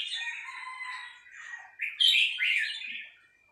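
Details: Female red-whiskered bulbul with three-syllable song: a burbling run of warbled notes, then two louder, brighter whistled syllables before fading out.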